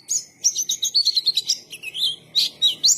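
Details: White-eye, known locally as pleci, singing a lively gacor song: a fast, high chattering run of thin twittered notes and short whistled slurs, with barely a pause over three seconds.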